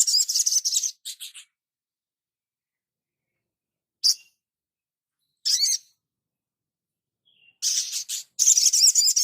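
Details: Crimson sunbird song used as a master recording for training caged birds: dense, shrill, high-pitched twittering bursts opening and closing the passage, with isolated sharp chips and a brief trill between long quiet gaps.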